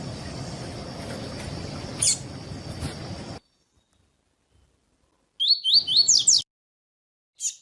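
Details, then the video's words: Tuí tuí style song from a double-collared seedeater, used to warm up and teach captive birds: after clicks and a break of silence, one rapid phrase of about five rising whistled notes, then a final click. "PAPA CAPIM TUÍ TUÍ PERFEITO ENSINAR PAPA CAPIM COLEIRO ESQUENTAR CANTO DO COLEIRO/PAPA CAPIM"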